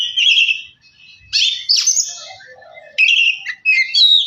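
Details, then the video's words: Oriental magpie-robin song to stir a bird into singing: short loud bursts of rich whistles and scratchy notes separated by brief quiet gaps, with soft low twittering between phrases. "Kacer males bunyi jadi gacor 🔥 pancingan Kacer biar cepat gacor dan emosi"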